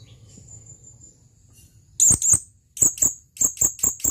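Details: Male blue-crowned hanging parrot calling to a female: a faint, thin, steady high whistle, then two sharp, very high shrill notes followed by a quick run of four similar piercing notes near the end.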